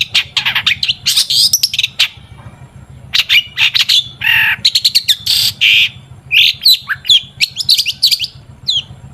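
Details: Long-tailed shrike singing as a lure for other shrikes: bursts of fast squeaky chatter alternating with harsh rasping notes and brief pauses, all very high, over a low droning hum.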